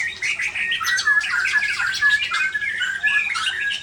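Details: White-rumped shama flicking its tail while pouring out its repertoire of fill-in phrases: a dense, rapid tumble of whistles, chatters and sharp squawky notes, loud and continuous throughout.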